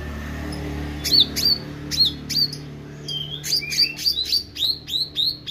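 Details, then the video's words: Meranti bird singing actively over a steady low hum. Spaced, sharp chirps with downward-curving whistled ends speed up into a quicker series of bent, high notes. "Burung Meranti Gacor"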